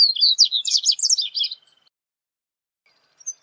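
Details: A rapid tumbling phrase of high chirps and warbles from a Double-collared Seedeater (corbatita), ending in a fading thin trill, followed by silence and a faint restart.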